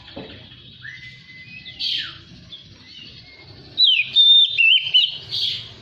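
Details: Oriental magpie-robin song used as a lure to bring untrained birds into song and tail display: a long, steady whistle and a downward slide, then a loud burst of warbled, wavering whistles.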